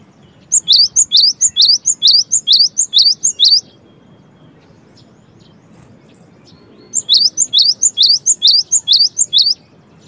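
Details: Cinereous tit (gelatik batu) singing energetically, two bursts of rapid high rising two-note whistles, each lasting about three seconds and separated by a few seconds of quiet.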